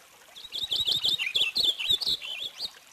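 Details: Purple finch song, a quick string of sweet, bubbling whistled notes tumbling up and down, continuous for over two seconds.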